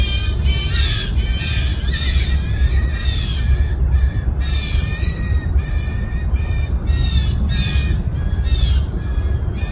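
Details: At least two hungry fledgling blue jays in a yard, 20 June 2024, begging as parents push them to forage alone: harsh, rasping, downslurred squawks repeated rapidly, nearly continuous over steady low traffic-like rumble.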